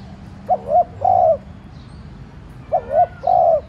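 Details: Spotted dove used as a decoy, cooing softly to provoke other doves; two phrases, each a quick hiccuping double note followed by a longer smooth hoot, with quiet gaps between.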